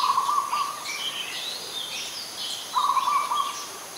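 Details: Rattling, soft-toned coo phrases of an adult zebra dove in Ubon Ratchathani, Thailand, on 21 September 2022: one right away, another near three seconds in, with busy high-pitched chirping of other birds throughout.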